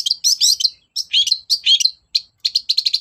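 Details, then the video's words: Long-tailed shrike singing vigorously, meant to rouse reluctant shrikes: loud, rapid phrases of shrill slurred whistles and chips. Short gaps separate the bursts, ending in a fast string of repeated sharp notes. "BURUNG CENDET GACOR DOR PANCINGAN AMPUH CENDET SUSAH BUNYI"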